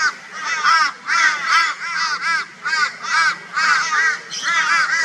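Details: Flock of crows tormenting a barn owl in Brisbane, Australia, 22 February 2022: loud raucous caws with arched, harmonic-rich notes, given in overlapping bursts roughly every half second with brief dips between.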